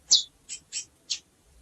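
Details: Calling female chestnut-bellied seed finch gives four short, high chips in quick succession, the first loudest and slightly downslurred.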